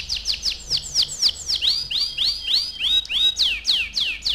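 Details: A canary repeats bright downward-sweeping chirps, about four per second, in an uneven lively phrase. Recorded to get young canaries singing, with faint low hum behind.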